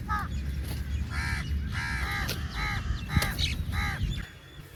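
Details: Rapid series of hoarse, grating caws from a crow calling for food, about eight calls in under five seconds, over steady low rumbling noise.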